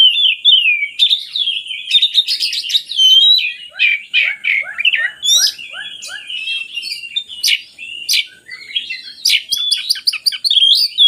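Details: Oriental magpie-robin singing, meant to spur reluctant birds to sing: a rich, fast medley of whistles, sharp chips and buzzy notes, with a run of about eight quick descending notes repeated in the middle.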